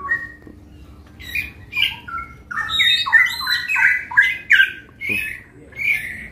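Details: Straw-headed bulbuls in full song at a bird-shop kiosk in Patra bird market, West Jakarta: loud, rich, bubbling warbled phrases tumbling up and down without pause over a low steady hum and a faint early chirp.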